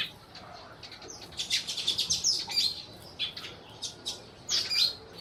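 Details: Sparrows from Burma chirping: bright, short tweets in irregular bursts, several overlapping notes with quick rising and falling chirps, busy and excited.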